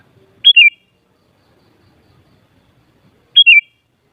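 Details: Sooty-headed bulbul, meant to stir other bulbuls into singing: two crisp whistled phrases about three seconds apart, each a sharp high note stepping down to a slightly lower warbled note, with near silence between.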